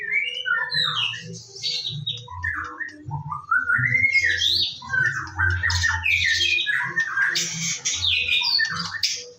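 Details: Morning song of a white-rumped shama (murai batu), used as a lure to get birds singing: a long varied run of rising whistles, chattering trills and rasping notes over a constant low hum.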